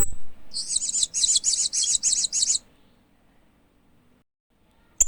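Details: Hanging parrot chirping: a quick run of about seven buzzy, very high chirps packed together over two seconds, then near silence with a brief high note at the very end.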